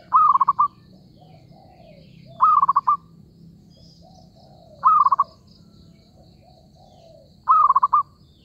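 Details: Repeated rolling coos of a zebra dove during trapping: four phrases about every two and a half seconds, each a quick rising note followed by rapid soft pulses, over low background noise.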